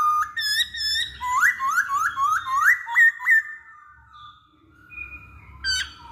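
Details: Rapid repeated upslurred whistles from a masked laughingthrush, played to encourage other birds to sing; the rhythmic run stops abruptly, leaving a faint thin whistle and one final sharp note.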